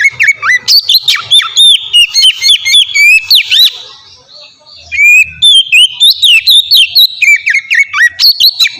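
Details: Oriental magpie-robin singing ngeplong style as a lure to spur other magpie-robins into song: quick varied whistles, slurs and clicks, about four notes a second, a brief pause midway, faint low thumps beneath.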